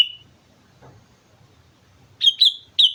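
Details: Sooty-headed bulbul on Mount Slamet singing lively: a brief high chirp at the start, a quiet gap, then three short clear whistled notes near the end, close together with a faint low rumble beneath.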